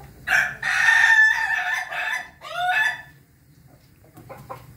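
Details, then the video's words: Ayam Ketawa rooster crowing on 20 May 2024: a loud, harmonic, broken crow in stuttering segments over about three seconds, ending in a rising then falling phrase, followed by quieter clucks. "ayam ketawa berkokok"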